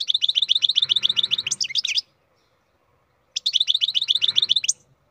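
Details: Captive-bred European goldfinch in full song: two long runs of rapid, evenly repeated tinkling notes with buzzy flourishes, split by a pause of over a second.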